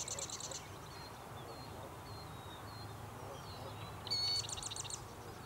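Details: Female Killdeer at Largent Bend, performing a distraction display to lead an intruder away from her nest, gives short bursts of rapid, shrill high trills, with faint thin whistles and a low background rumble.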